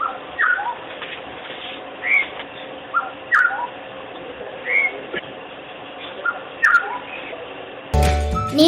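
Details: Black-hooded Oriole, a resident bird of Sri Lanka's open woodland and cultivation, gives short, liquid whistled notes, some rising and some dipping, in small groups about every one to two seconds; music cuts in at the end.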